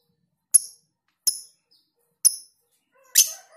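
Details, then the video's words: Lovebird on a masteran tutoring recording of long ngekek style with tight gaps: four sharp, shrill high chirps spaced under a second apart, the last one rougher and longer, with faint lower chatter after it. "Masteran Lovebird Ngekek panjang jeda RAPAT"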